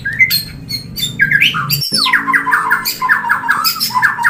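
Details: A white-rumped shama gives its mating call, meant to bring a bird into breeding condition. Loud, rapid series of descending whistled notes repeat in quick runs, mixed with sharp harsh notes, over a faint low hum.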